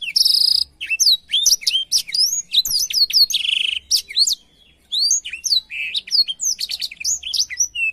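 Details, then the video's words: Black-throated canary song played as a tutor recording for canaries: a fast, unbroken jumble of high whistled slurs, sharp chirps and buzzy trills, with a short pause near five seconds and a faint low hum in the background. "suara burung blackthroat untuk masteran kenari"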